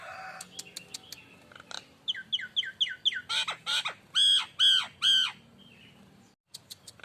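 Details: Nias hill myna lure song: sharp clicks and quick whistled notes building into loud, harsh, drawn-out arched squawks, followed by brief silence and a few clicks.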